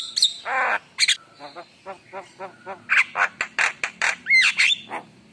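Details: Javan myna mixing harsh rasping squawks and soft clucking notes with sharp high chirps and a brief whistled slur near the end.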